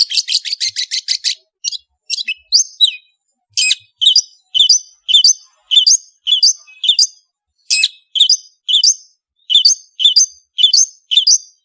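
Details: Cendet (long-tailed shrike) in lively song. A fast harsh chatter opens, then come repeated bouncy two-note whistled phrases with an occasional sharp buzzy note.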